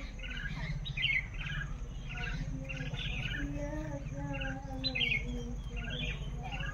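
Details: Common mynas (Acridotheres tristis) calling as a group in the morning, a busy mix of harsh chatters, clicks and short whistles, over a steady low hum of background noise.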